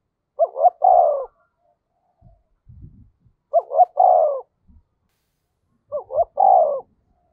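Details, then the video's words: Caged decoy spotted dove cooing to provoke wild birds: three phrases about every three seconds, each a quick double note followed by a drawn-out, slightly descending coo, with faint low knocks between. "Chim Cu Mồi-cu gay kich boi nhanh noi gù"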